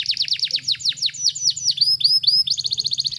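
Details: Canary song used as tutor song for training birds at home: dense rapid trills of descending sweeps, then looping upslurred whistles and a fast even high rattle, with a low steady hum underneath.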